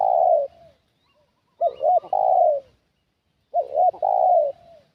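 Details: Decoy-calling spotted dove drawing in wild doves: steady phrases of two short rounded notes and one drawn-out falling coo, spaced about two seconds apart, clean and close with no other sounds.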